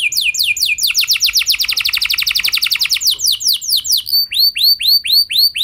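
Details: Canary singing for use as a lure: a dense fast trill of descending notes speeding into a rattling roll, then switching to slower, evenly spaced swooping whistles.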